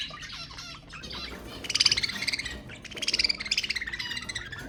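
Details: Budgerigars chattering to stimulate mating: a softer warble that swells into two bursts of rapid, pulsing, rasping chatter, each about a second long, with bright tonal squeaks on top.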